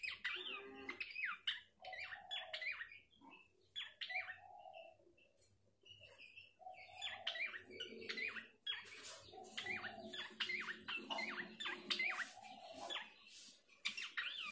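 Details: Abbott's babbler sound used to provoke singing: repeated bouts of scratchy, chattering notes mixed with sharp downslurred whistles, grouped in phrases separated by short pauses, over a faint low hum.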